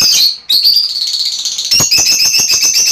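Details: Continuous buzzy, shrill chatter from Fischer's lovebirds, used to encourage mating, with rapid pulsed squeaks running nearly without pause after a brief break.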